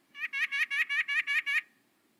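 A White-breasted Nuthatch gives a quick run of eight nasal, horn-like 'yank' notes, about five per second, over a faint low hum.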